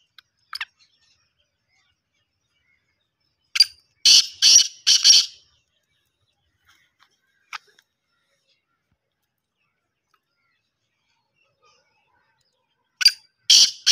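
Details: Black francolin, called kala teetar, repeats its rough, rasping call: a sharp click, then a run of four harsh grating notes, with a second phrase starting some eight seconds later amid silence and faint ticks.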